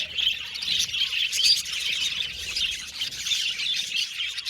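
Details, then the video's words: Several budgies keep up a busy stream of high-pitched chirps and warbling chatter, with one brief clear whistle standing out near the middle over the steady flock noise. "Budgies Chirping Sound"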